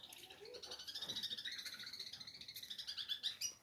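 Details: Long-tailed shrike of local Lampung stock, Indonesia, giving a dense, fast chattering song of high twittering notes pulsing several times a second in a steady unbroken stream.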